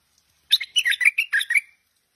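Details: Tame Stripe-throated Bulbul delivering one short, lively phrase of about seven quick, gurgling notes that bounce up and down in pitch, over a clean, quiet background.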